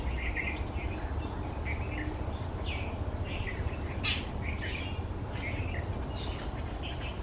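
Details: One of a pair of white-browed bulbuls feeding on berries in banyan and neem trees at an office complex, early monsoon season, gives short bubbly chattering notes in quick bursts over a low rumble of wind or distant traffic.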